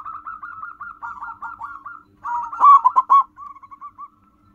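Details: A wild local zebra dove, recorded as a lure call, coos in soft, rapid trilled phrases near one pitch, ending in a few louder rolling coos and a short series of fading notes.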